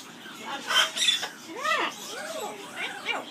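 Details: Aviary-kept Amazon parrot singing its "skimmeradinkadinkadink" song: two brief squeaky notes, then three or four clear arched, rising-then-falling tonal syllables, each about half a second, over light background hiss.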